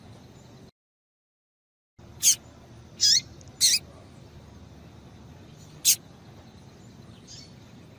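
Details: Female double-collared seedeater calling to stimulate a male: after a brief silent gap, four high notes, a sharp chip, two short raspy calls and another chip, then a faint soft note.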